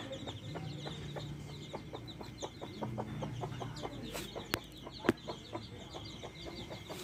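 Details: Backyard hens with their chicks cluck steadily, a rapid run of short low pulses several per second, with a brief sharp knock near the end and a low drone underneath.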